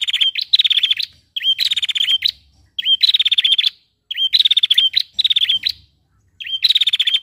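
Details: A female prinia gives a call said to make quiet males sing. Each burst opens with a short upslurred note and runs into a fast, buzzy, even trill. Six bursts are separated by brief pauses.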